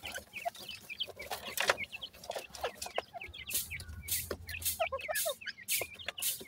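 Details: A group of grey francolin chicks being fed, chirping in high, short upward notes at an uneven pace, with bursts of scratchy noise and a low hum in the background.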